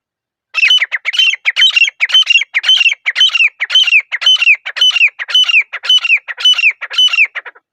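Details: A grey francolin in a silent forest calls loudly and continuously, repeating shrill, ringing phrases of a harsh note and a rising-falling whistle about twice every second for seven seconds.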